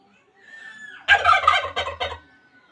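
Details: Rooster gives a single crow: a thin rising note, then a loud broken harsh section of several bursts that ends in a long, fading drawn-out tail.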